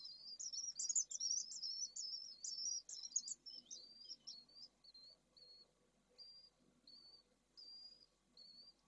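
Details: Pallid swift nest with two newly hatched second-clutch chicks in hot weather, Jerez de la Frontera: about three seconds of dense, high twittering, then thin single chirps about a second apart over a faint hum.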